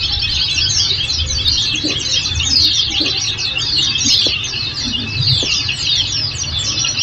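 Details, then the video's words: Oriental white-eye song meant to set off a reply from kept birds: rapid sliding high chirps and thin trilled phrases repeat densely, with a low hum and scattered soft knocks underneath. "Masteran||Terapi Kicau Pleci"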